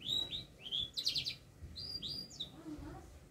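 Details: Singing canary learning to shake its head gives scattered whistled phrases, a short buzzy burst, and rising and falling slurred notes with pauses between them. Soft room noise is in the background.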